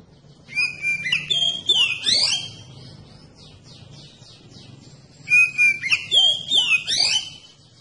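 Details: Kacer, the oriental magpie-robin, singing a provocation song meant to make other magpie-robins respond: a rich whistled phrase with rising and falling slurs and trills, a quiet gap of nearly three seconds, then the same phrase again.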